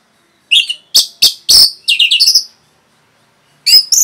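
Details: Orange-headed thrush giving a rapid, dense song meant to provoke other birds: a burst of quick, varied chirps and short whistles over about two seconds, then a pause and a fresh high phrase starting.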